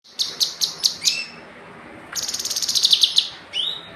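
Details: Semi-raw (semi bahan) Kinoi bird singing: five sharp, high chirps about a quarter second apart, then a pause and a fast, buzzy, rattling trill that swells in loudness, closing with a single rising whistled note.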